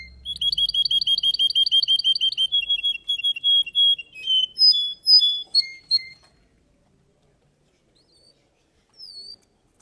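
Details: A Russian canary competing in a song contest delivers a rapid rolling trill of rising notes, then slower ringing whistles that break off into near silence, with one last short note.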